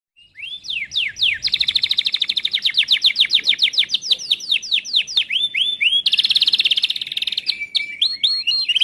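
A Timbrado canary sings fast rolling trills of rising sweeps, shifting to a dense rattling tour and metallic notes, all high and bright with no other sounds.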